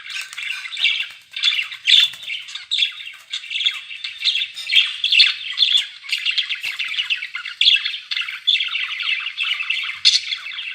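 Budgerigars keep up a busy, scratchy warble of chirps and squawks, high-pitched and almost unbroken.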